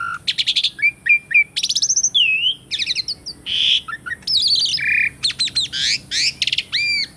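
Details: Asian pied starling singing, intended to stir birds that stopped singing: rapid rattling trills, whistled swoops, harsh noisy blasts and ringing upswept notes in a busy, almost continuous stream.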